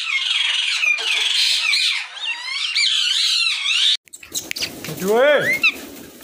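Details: Rose-ringed parakeets at a breeding colony in Pakistan, 2022, squawking in a continuous, harsh, shrill chorus for about four seconds before it stops abruptly and a person's voice and other noises follow.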